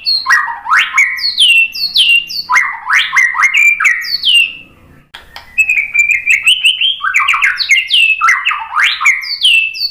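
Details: White-rumped shama song meant to provoke other birds into singing: repeated loud phrases of rising and falling whistled sweeps and sharp high notes, each phrase about a second, delivered in quick succession.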